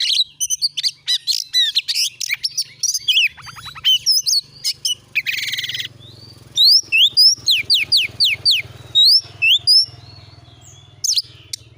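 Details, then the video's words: Lure song of an Oriental magpie-robin for starting a kept bird singing: a busy mix of chirps, a harsh buzzy rattle and a run of rapid downslurred whistles, over a steady low hum. "jadikan burung Kacer anda cepat gacor dengan pancingan burung Kacer ini"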